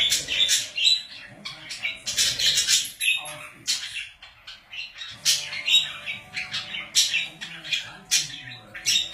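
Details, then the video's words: Several pet budgies keep up dense, excited chatter. Rapid scratchy chirps and squawks run into each other, with a brief lull in the middle before the twittering resumes at full pace. "Budgies / Parakeets / Wellensittiche"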